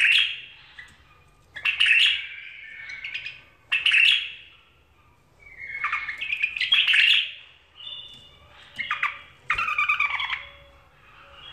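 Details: A tame caged bulbul gives loud, clear song phrases: rich warbled and chirped bursts of about a second each, repeated with short silent gaps between them, in a quiet room.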